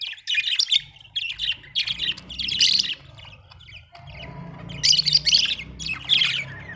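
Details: Happy budgie chirping: bursts of harsh, buzzy warbling notes in several clusters, a pause at mid-clip, then loud squawky chatter resuming, over a faint low hum.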